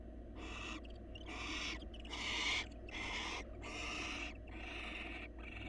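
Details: Wild barn owl pair in a nest box as the male grooms his mate and brings her food; long, loud rasping hisses follow one another almost without pause, the middle one strongest, over low hum.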